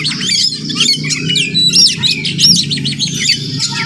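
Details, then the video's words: Wild Oriental magpie-robin (murai kampung) visiting a village home in the morning, singing a melodious run of sharp, varied whistled notes and squeaky chirps in quick succession, over a steady low hum. "Crazy Sounds of Village Magpie Birds"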